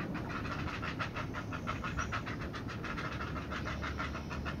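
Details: Heron chicks calling as their mother feeds them, a fast rhythmic run of rough clacking pulses repeated several times a second without pause, against a steady hiss of background noise.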